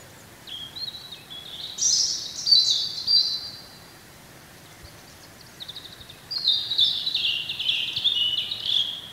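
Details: Wild European robin singing in spring: two long phrases of high, rapid warbles and tinkling trills that shift abruptly in pitch, separated by a pause of about two seconds, with quiet background hiss.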